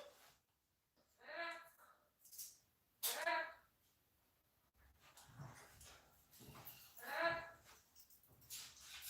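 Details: Pet parrot from a household flock calling indoors during a live session: three harsh, harmonic squawks spaced a few seconds apart, with softer scattered noises and a man's speech nearby.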